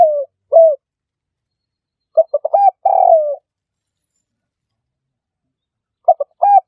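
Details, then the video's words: Spotted dove lure call: the end of one phrase, then a full phrase of stuttered low coos and a long buzzy falling coo, then a long pause before the next phrase begins. "Dove Audio Trap - សម្លេងលលកបូល"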